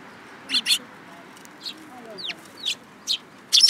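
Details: Sparrows flock to a hand holding food at a Tenmangu shrine on 7 July 2022. Paired harsh chirps open, followed by single chirps and one clear descending note, ending in a loud chattering burst.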